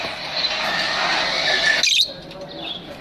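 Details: Pet lovebirds in an aviary chatter in a dense, scratchy, high-pitched stream of chirps and squeaks. A sharp squawk breaks it off, and fainter chirps follow.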